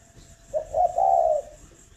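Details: Spotted dove from a breeding farm near Ba Vì, Hanoi, Vietnam, with one coo phrase: a short note followed by a longer, mellow hooting coo, low and smooth, against a quiet background.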